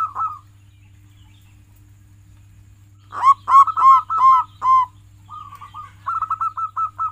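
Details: Local zebra dove kept as a singing bird, its song used as a tutor to prompt other pet doves into singing. A few soft coos, a pause, then a rapid burst of ringing, harmonic coo notes and a softer trilled run, over a low steady hum.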